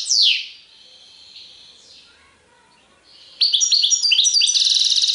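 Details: European goldfinch singing in the serfati tiwawati style: a falling whistled sweep, a thin sustained high note, a near-silent pause, then a loud rapid burst of twittering, tinkling high notes.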